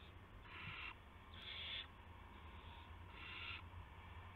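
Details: Owls on March 18, 2016, 8:00 PM, as a gopher arrives at the nest; three raspy, noisy hisses of about half a second each, irregularly spaced, with a faint low hum behind.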